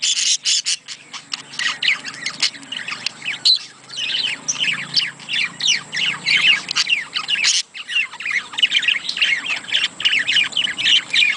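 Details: Budgerigar chatter used to stimulate budgies to mate: continuous busy warbling of squeaky, scratchy notes and short squawks, with two brief breaks, rich and rapid throughout.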